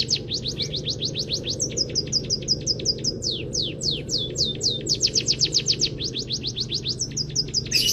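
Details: Canary-filled munia song for training songbirds: alternating fast trills and slower sweeping whistles, notes sliding downward, tempo rising and falling throughout, ending with a rough burst; steady low hum beneath.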